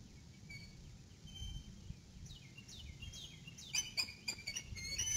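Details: An adult female eagle calls on coming to the nest, 6 April 2018, evening. Several thin, descending chittering notes are followed by a burst of rapid clicking, with brief high piping tones throughout and faint wind below.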